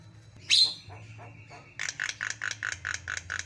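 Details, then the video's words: White-eyed Javan myna known as jalak kebo mata putih: one sharp squawk, a sustained thin tone, then about nine regular, buzzy, ringing notes in quick succession. "SUPER GACOR JALAK KEBO MATA PUTIH"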